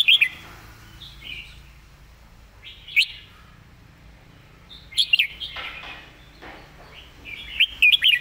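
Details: Red-whiskered bulbul singing master-song phrases with long pauses between them: isolated bright whistled notes and soft warbles, ending in a quick cluster of loud chirpy whistles.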